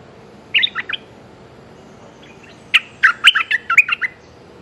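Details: Streak-eared bulbul calling for a mate, giving a short cluster of three chirps, a pause, then a faster run of about eight sharp, bubbly notes.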